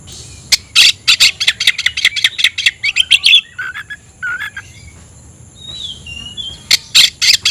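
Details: Oriental magpie-robin kept in a cage, chattering with open tail to challenge a rival: a fast run of harsh clicking notes, then lower whistled phrases, a quiet gap, thin high whistles and more rapid clicks.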